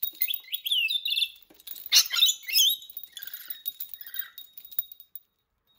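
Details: Pet rainbow lorikeet, a female kept indoors, excited by bells she loves as toys; rapid high chirps and twittering whistles in quick bursts, mixed with sharp clinking bell-like taps and brief squeaky notes.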